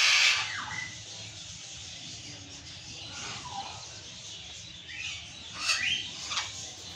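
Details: Burrowing parrot giving a loud raspy shriek at the start, then a quieter stretch and a few more scratchy downslurred screams near the end.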